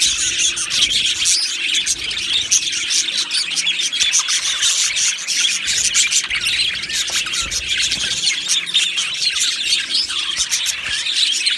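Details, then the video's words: Budgerigars sing and chirp as a colony in an aviary, producing a steady, dense blanket of high-pitched twittering and scratchy warbling that stays evenly loud throughout. "Beautiful Budgies Singing and Chirping Sounds"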